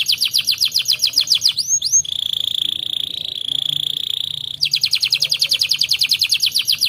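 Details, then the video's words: Canary singing: a rapid rolling trill of repeated rising notes, a pair of upswept whistles, a sustained even buzzing trill of about two and a half seconds, then the quick rolling notes again. "KENARI ANDA GACOR"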